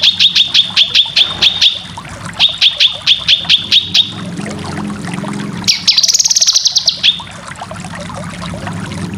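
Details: Cucak kinoy song used to train competition birds: two bursts of about eight sharp, repeated chip notes, then a rapid, higher trill.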